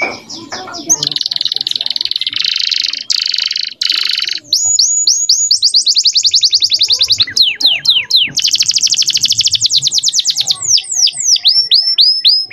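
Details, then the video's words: Male canary song meant for training young birds, opening with dense buzzy, noisy rolls, then quick repeated upsweeping notes and a long rapid trill of falling strokes; faint low background sound underneath. "MASTERAN BURUNG KENARI PAUD AGAR CEPAT BUNYI DAN GACOR - kenari jantan gacor jernih"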